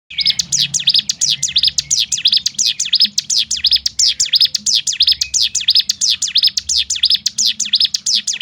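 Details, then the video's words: Bar-winged prinia giving a rapid, tightly packed 'ngebrem' shooting song meant to rouse other prinias; a steady, unbroken chain of sharp, high, downslurred chips, several per second, running through the whole stretch over faint low background hum. "nembak ngebrem rapat top nya untuk membangkitkan mental burung ciblek gunung lain"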